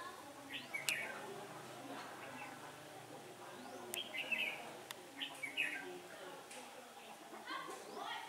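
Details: During a Red-whiskered bulbul trapping outing on a windy day, 15 October 2017, brief bright chirped and warbled phrases come in quick bursts, some sharp clicks and knocks between them, against constant hiss.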